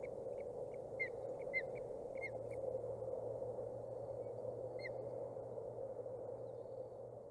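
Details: Osprey nestlings 27 and 29 days old chirping at their Boulder County nest, June 14, 2019; a rapid burst of thin, high, slightly downslurred chirps in the first three seconds, one more later, over a droning hum.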